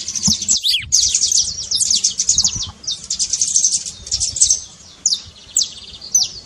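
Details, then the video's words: Saffron finch trill to wake a silent bird into singing: fast, high chattering and steeply falling notes in repeated bursts, broken by brief gaps. "trincado pra foguea seu canário frio"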